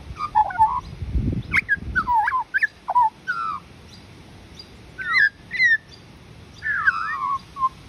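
An Australian magpie sings rich, fluting phrases of warbles and slurred whistles that jump between low and high notes, with brief pauses between bursts; a soft low rumble early on.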